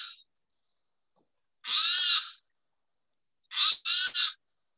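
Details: Spotted Towhee call, a sound often heard coming from brush: harsh, raspy, catlike mewing, first one drawn-out rasp, then a quick broken series of three. No other sounds intrude.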